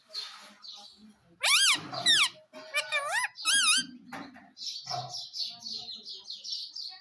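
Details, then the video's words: Indian ringneck parrot kept as a pet in India, talking with the phrase "Mummy mitthu ki roti do": loud harmonic, swooping voice-like squawks in quick bursts, then a rapid run of high, wavering chirps. "Mummy Mummy Bolne Wala Parrot || Talking Parrot"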